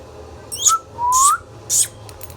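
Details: Pet Indian ringneck parakeet: three brief notes, each a sharp noisy burst sliding into a low whistle, the middle one drawn out and rising.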